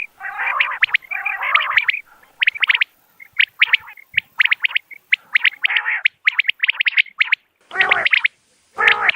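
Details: Common quail calls used for hunting: repeated runs of crisp, high, clipped notes in threes, at first mixed with rough nasal buzzes. Two loud, low, harsh bursts come near the end.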